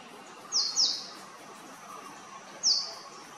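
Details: Male purple sunbird giving high, sharp falling notes: a double note, then a single one two seconds later; faint lower warbles of other birds beneath.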